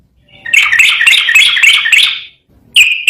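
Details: Yellow-vented bulbul in a long master training recording of continuous rapid 'ropel garuda' style song: a dense bubbly, chattering run of bright notes lasting almost two seconds, then a short pause and one more sharp note.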